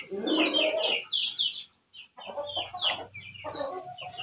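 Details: A Pelung-crossbreed rooster crows in the morning, a long, broken series of hoarse, falling syllables.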